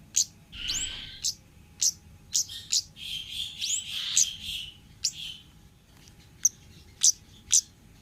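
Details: Wild orange-headed thrush song, used as a lure recording: sharp high chips alternate with buzzy, rasping phrases around the mid-high range and brief upslurred whistles, then scattered isolated high notes after a short pause.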